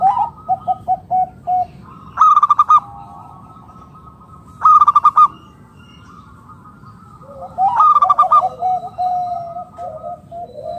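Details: Local wild zebra dove used to entice other doves to call: a run of short even coos, then sudden loud buzzy rattling bursts, ending in a tumbling wavering coo phrase. A faint background hum runs throughout.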